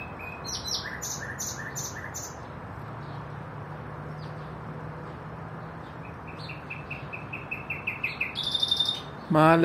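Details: Common nightingale song in short varied phrases: bright chirps, a quick series of repeated rising notes, and a high whistled flourish, over a low steady hum, ending with a sudden loud noise.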